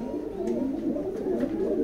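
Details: Racer pigeons give low, throaty coos, each a wavering rising-then-falling phrase run together in a continuous rolling murmur.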